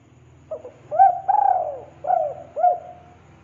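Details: Spotted dove lure recording for attracting wild doves: one soft mellow cooing phrase of short hooked notes around a long falling coo, over a steady low hum.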